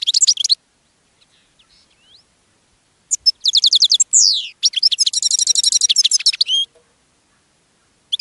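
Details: Caged European goldfinch singing, drawing other goldfinches: bursts of bright, tinkling twitters and rapid liquid trills high in pitch, interspersed with short buzzy notes, separated by brief silences, the longest run lasting about two seconds.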